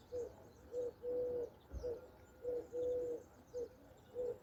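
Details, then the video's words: Mourning dove on a spring morning in Andalusia, southern Spain, among wildflowers: soft, low, hollow coos in repeating groups of two short notes and one longer one, with a faint hiss of distant songbirds behind. "the relaxing sounds of mourning doves and songbirds"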